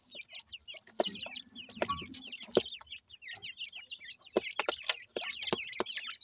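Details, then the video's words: Feeding time for Pakistani teetar babies, steady chorus of bright, high cheeping notes with quick up-and-down inflections, interrupted by hard clicking taps and a brief low rustle. "partridge birds, pakistani teetar babies feeding"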